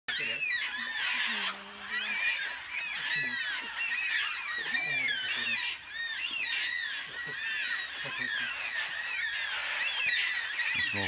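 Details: A passing flock of black cockatoos near Wentworth Falls in the Blue Mountains, Australia, announces its arrival with harsh, wailing screeches. The calls overlap almost constantly, about one a second, and a single white cockatoo joins in.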